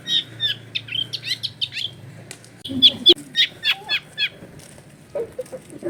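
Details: Long-tailed shrike recorded at a home in a crowded neighbourhood, rattling off quick high chirps and twittering notes in fast bursts, with a brief harsh lower note midway and soft low background noise.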